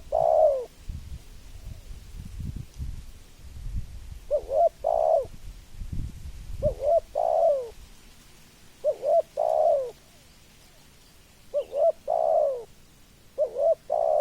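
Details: Spotted dove repeating its cooing phrase four times, about every two to three seconds, each a quick double coo followed by a longer falling note; low rumbling noise near the start.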